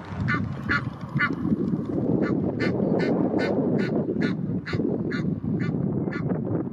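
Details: Territorial Egyptian geese at the Blies, Ludwigshafen am Rhein, acting aggressively; a steady string of raspy, breathy honks, roughly two per second, over loud low rumble.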